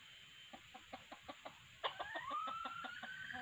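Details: Red junglefowl decoy calls used to lure wild junglefowl: a run of short, evenly spaced clucks, then a drawn-out rising tonal call that levels off and holds, over a faint steady high hiss.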